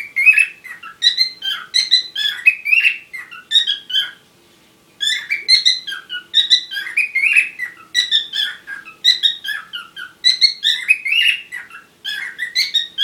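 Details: Parrots during courtship keeping up a long bout of twittering chatter: rapid clusters of squeaks and short whistles, two brief pauses, then resuming with the same busy warbling rhythm.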